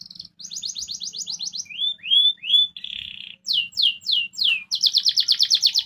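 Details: Canary song meant to provoke rivals into answering quickly: fast buzzy trills of rapid repeated notes, then clear rising whistled slurs, a dense rattling burst and descending sweeps, ending in a high quick trill; faint low hum beneath.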